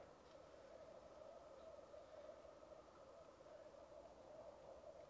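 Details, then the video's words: Black grouse lek recorded on a Rode Videomic Go: ceaseless low, throbbing bubbling coos fill the recording, with a faint short hiss near the start. "Black Grouse lek"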